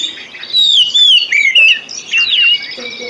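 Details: White-rumped shama song used as a lure to encourage other birds to sing: bursts of loud, clear whistles with slurred down-sweeps and quick twittering notes, separated by brief pauses.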